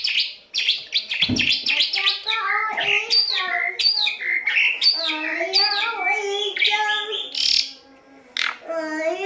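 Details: Asian pied starling in lively song, used to train captive birds: a fast, dense stream of varied chattering, squeaky and whistled notes with rapid rising and falling slides, then a brief pause and a final burst.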